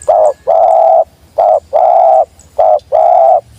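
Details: Spotted dove giving the sweet 'jergot' call as the wild bird comes down: three rapid phrases of a short coo and a longer steady coo, low and even, loud and close.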